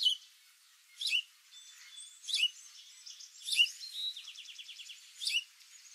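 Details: Golden-crowned Sparrow giving short, sharp, downslurred chirps at irregular intervals of roughly one to two seconds, set against faint rapid trills and twittering from other birds in the background.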